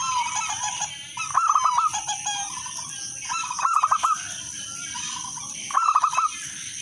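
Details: Zebra dove, local wild type, singing with a clear melodious rhythm meant to draw other doves into song: three phrases of four or five fast cooing notes, spaced a few seconds apart, faint coos and high whine behind.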